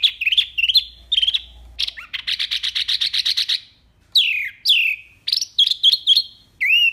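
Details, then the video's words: Mini wambi singing a clean "tembakan" for training caged songbirds: varied whistled notes, then a fast rattling string of about a dozen identical notes, followed by long downslurred whistles and sharp chips. "SUARA JERNIH TEMBAKAN WAMBI MINI"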